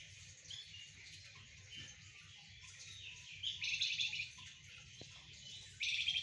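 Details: Golden-bellied gerygone singing vigorously while sunned together with spotted doves and zebra doves; faint high buzzy chattering, with brighter trilled bursts near the middle and at the very end over a steady low hum.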